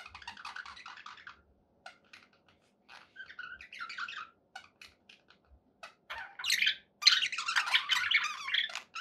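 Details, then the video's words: Pet budgies said to be happy: scattered soft chirps and squeaks early on, building to a loud, continuous run of scratchy warbling and tweets in the last few seconds, indoors. "happy budgie sounds"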